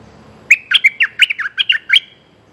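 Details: Streak-eared bulbul calling a mate with a single lively phrase of roughly eleven sharp, chirpy, slightly buzzy notes in quick succession, then silence.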